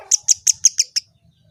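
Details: Kemade, a bird that replies to any sound, giving six sharp, high chirps evenly spaced about a fifth of a second apart, then falling silent.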